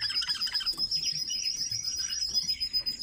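Red-billed leiothrix giving a busy stream of high, quick twittering and warbled notes, several per second, over a thin steady high-pitched whine.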